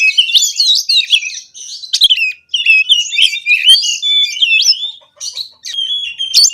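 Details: Oriental magpie-robin song, konslet style and full of phrases, used as a lure to rouse quiet birds: jumpy whistles and zipping slurs delivered in bursts separated by short pauses.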